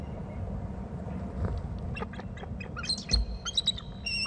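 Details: Bald eagle at its nest territory on Hornby Island, with a second eagle present and lots of calling as eagles fly off. It gives thin, high chittering notes and squeaky whistles in quick bursts during the last two seconds, over steady low wind.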